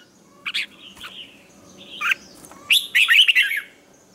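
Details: Red-whiskered bulbul in morning training song with a double twisted note: clear whistled notes starting scattered, then a loud rapid warbling phrase near the end.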